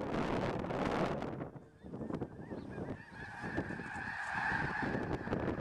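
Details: A huge migrating flock of Snow Geese lifting off a farm near Freezeout Lake, Montana, in spring; a roaring rush of wings and wind for the first second and a half, then a thick, steady chorus of honks.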